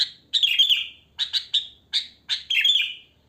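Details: Sooty-headed bulbul singing naturally in the wild, used as a lure for other bulbuls: bright chirpy notes and short bubbly warbled phrases, some trailing downward, delivered in quick bursts with brief gaps.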